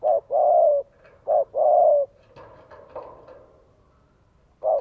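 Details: Vietnamese spotted dove used as a lure, cooing to stir up a wild male; two pairs of short-then-long mellow coos, then a softer murmuring pause and one more short coo at the end.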